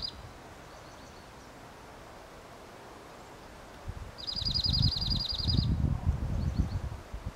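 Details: Dark-eyed junco of the slate-colored form giving one bright, rapid trill of identical high notes for about a second and a half, with faint notes earlier and heavy low rustling beneath.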